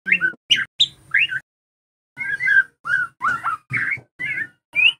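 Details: White-rumped shama, trotol type, lure song for captive shamas to learn: varied warbled whistles in short separate phrases, mostly mid pitch with some rising slurs.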